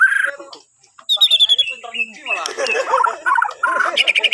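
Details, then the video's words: Borneo white-rumped shama song, played to set other birds singing in the morning: a short whistle, a pause, a high trilled phrase, then varied chattering and whistled notes in quick groups. "Kicauan Murai Batu Borneo❗Cocok Buat Pancingan Dipagi Hari"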